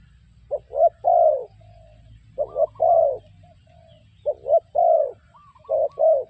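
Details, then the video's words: Spotted dove used as a decoy for trapping, giving low cooing phrases of two short coos followed by a longer rolling croo, repeated three times, with faint higher whistles from another bird in the background. "The Sound Of Spotted Dove Bird"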